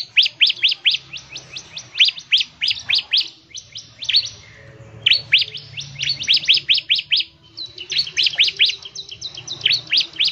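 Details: Bar-winged prinia delivering a fast, vigorous song intended to make other birds sing, with long runs of rapid, piercing down-slurred notes repeated several times a second and one short pause midway.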